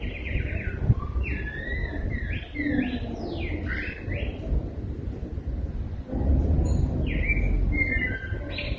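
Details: Rose-breasted grosbeak song: a quick series of liquid, swooping whistled notes for about four seconds, a pause, then another warbled phrase, with low-pitched outdoor noise throughout.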